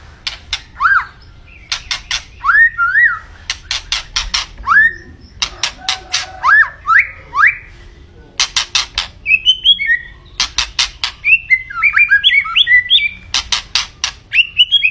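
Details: White-rumped shama in full song, a long varied run of whistled rising and falling phrases near 1–4k mixed with sharp broadband clicking notes repeated in bursts.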